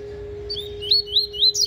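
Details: Coleiro (Double-collared Seedeater), a spirited bird singing the tui tui (fugitivo) style while sharpening its song: a few short, sweet whistled notes, slurred and slightly rising, given in quick succession over a steady low electrical hum.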